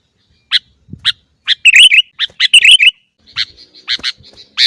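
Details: Sooty-headed bulbul (kutilang), a caged bird, calling as a lure to train other kept birds to sing: short sharp chirps spaced about a second apart, then a burst of bright chattering notes and more clipped chirps.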